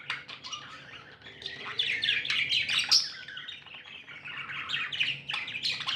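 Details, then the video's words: Several happy pet budgies chatter without pause, a dense jumble of quick chirps, clicks and warbling notes, with a louder squeaky peak around the middle. "Happy budgies chirping sounds"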